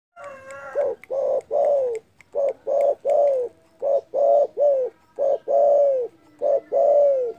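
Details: Spotted dove calling loudly and often, a big voice said to provoke rivals: a rapid string of low, hollow coos, short notes and longer drawn-out ones falling slightly in pitch, about a dozen in seven seconds.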